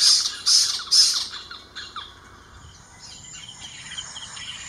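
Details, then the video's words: Spotted owlet screeching in Ahmedabad, Gujarat: three quick harsh, raspy screeches in the first second and a half, then fainter scratchy notes fading into soft background sound. "Screeching Call (Spotted Owlets)"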